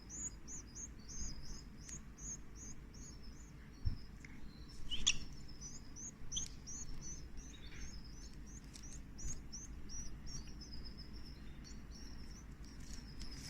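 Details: Canary chicks begging while being fed give soft, high, thin chirps in a quick, steady series of short repeated notes. A few louder clicks and a low background hum are also heard.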